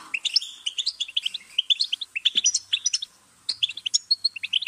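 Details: Goldfinch singing a fast, twittering run of bright chirps and trills. The notes are high and tightly spaced, with a brief pause near the end before the song resumes.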